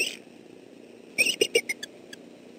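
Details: Wild male bald eagle at a southwest Florida nest, 28 December 2013, defending against an approaching intruder: a rapid run of high squealing chitters, each note shorter and lower than the last, then one isolated chirp.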